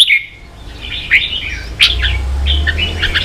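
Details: Red-whiskered bulbul from Vietnam singing in a contest: sliding whistled notes and chirps, a few loud accents, with a low hum rising underneath in the second half.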